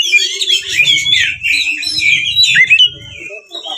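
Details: Oriental magpie-robin delivering a provoking fighting song, 'ngeplong tarung', packed with varied phrases to make rival birds sing and open their tails; busy high twittering and whistled slurs ending in a longer clear note, over intermittent low rumbling bursts.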